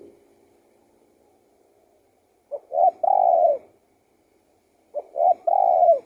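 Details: A spotted dove delivers two soft three-part coos roughly two and a half seconds apart, with brief hollow lead-in notes and a longer burred final note. A faint low hum is heard at the start.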